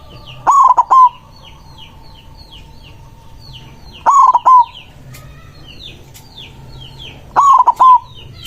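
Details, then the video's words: Big-voiced white zebra dove singing emotionally to summon rivals. A stuttering cooing phrase repeats three times, about every 3.5 seconds. High twittering from other birds fills the gaps. "Perkutut putih gacor suara besar ampuh memanggil lawan bunyi emosi manggung"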